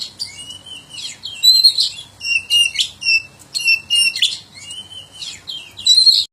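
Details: Oriental magpie-robin (kacer) singing, offered as a tutor song for other kept birds to learn from: a rich, nonstop string of clear high whistles, slurred rising and falling notes and scratchy buzzy bursts, phrases following about every half second.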